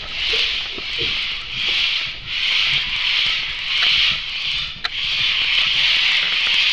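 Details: Several cockatoos on a back deck in July 2008 give harsh, raspy screeches in almost unbroken, long grating bursts, each about a second long, with a faint click near the end.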